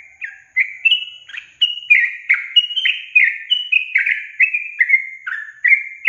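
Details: Sooty-headed bulbul song used as a lure for hard-to-start caged young birds: a lively, continuous chain of clear, falling whistles at varied pitches, delivered roughly twice a second, with no background noise.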